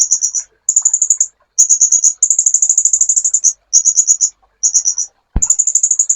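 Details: Sunbird singing on a master recording used to train songbirds, rapid high-pitched ticking trills in bursts of about half a second to a second, with one sharp click near the end.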